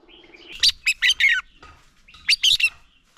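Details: Male red-whiskered bulbul decoy song used to train caged bulbuls to sing: two brisk phrases of loud, rich, slurred notes separated by a short gap, over faint low background noise.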